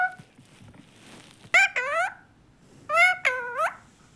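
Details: Talking parrot kept as a pet, voicing two pairs of loud, harmonic, squeaky mimicked phrases with level then sweeping tones, separated by quiet gaps; a voice says goodbye afterward.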